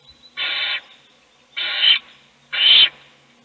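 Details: Owl chick being fed in a nest box while its siblings sleep; three rough, hissing rasps in quick succession about a second apart, the last one slightly louder.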